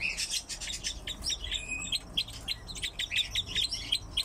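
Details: Crossbills kept indoors with pine grosbeaks produce a busy stream of crisp, high chip notes, a brief clear whistled tone at mid-point, several birds calling at once.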